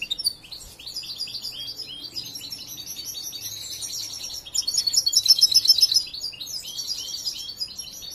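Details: European goldfinch youngster still undergoing song training, mixing scratchy high twitters with a loud run of rapid, evenly spaced tinkling notes midway through.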